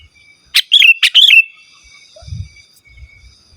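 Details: Sooty-headed bulbul singing in the original style, free of borrowed notes, as a lure for wild birds and a tutor for home birds: a double phrase of clicks and gurgling whistled notes, then soft low rumbling.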